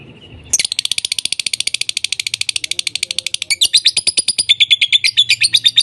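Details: Lovebirds voicing non stop: a rapid, steady train of shrill, buzzy chirps, about eight per second, running for several seconds and shifting higher near the end.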